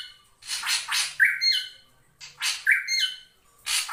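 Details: Lure calls of a drongo meant to draw in a rival: bursts of harsh, noisy squawks with brief tonal notes, grouped in two phrases separated by short pauses.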